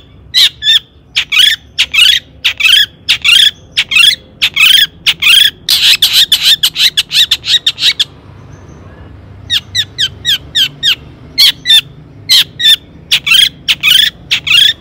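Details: Long-tailed shrike song played to excite rival shrikes into singing: long runs of sharp, scratchy high notes, bunching into a rapid clatter, a brief pause, then quick chirps resuming at an uneven pace.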